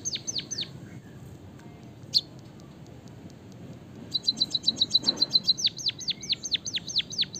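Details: White-headed munia from Java singing with canary fill-in, intended to spur other birds to sing: a few sweeping whistles, near silence with one sharp chirp, then a fast buzzy trill leading into loud downward-swept notes.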